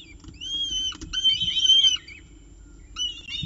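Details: At the Orange peregrine falcon nest with breakfast, October 2018, a drawn-out quavering whistle runs for about a second and a half, followed by a pause and a shorter wavering call, with a faint tapping sound.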